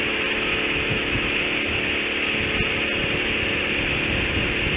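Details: Harsh, unbroken motor roar like a chainsaw or idling engine, with no animal voices.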